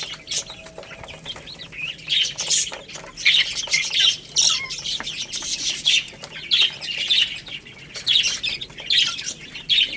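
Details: Chicks eating rice call repeatedly with loud, shrill, slightly harsh peeps in quick groups, amid busy pecking clicks.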